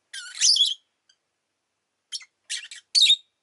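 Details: Rosy-faced lovebird (Agapornis roseicollis), a pet bird, gives a harsh, noisy chirp followed after a pause by three short, scratchy bursts in quick succession.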